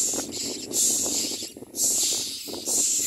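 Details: Begging common myna chick fed by its parent: loud raspy hisses roughly once a second, each lasting under a second, separated by brief quiet gaps, with soft rustling beneath.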